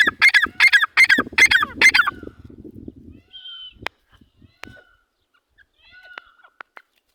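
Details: Partridge pair calling: five loud, harsh rhythmic notes in two seconds, followed by low rumbling, then sparse soft whistles and clicks.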